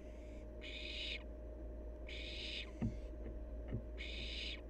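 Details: Three long rasping hisses from a wild barn owl fledgling, separated by pauses of more than a second, with two faint soft knocks between them.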